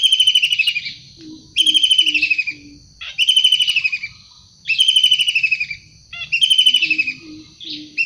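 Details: Wild long-tailed shrike calling energetically: five loud, harsh, rasping bursts, each about a second long and slightly falling, repeated roughly every 1.6 seconds, with faint low notes between them.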